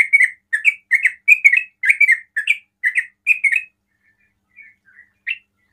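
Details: Sooty-headed bulbul delivering ropel song to provoke rival bulbuls: about a dozen rapid, liquid chirping phrases, then quiet with a few faint notes and one last chirp.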